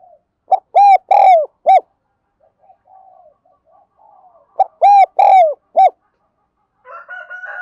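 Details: Spotted dove cooing, a recording used to train and lure wild birds: two bouts of four low, hollow, even coos, the second and third held longest, with soft murmurs between bouts and faint chirping at the end.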